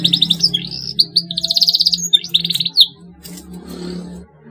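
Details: Canary singing to prompt young birds to sing: bursts of rapid high trills and rolling chirped phrases, ending abruptly, with a low steady hum beneath.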